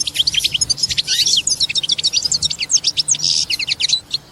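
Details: European goldfinch mating song, said to make the female take a mating posture: a fast, dense stream of bright twittering and tinkling notes, high and continuous with buzzy trills mixed in, over a faint low background hum.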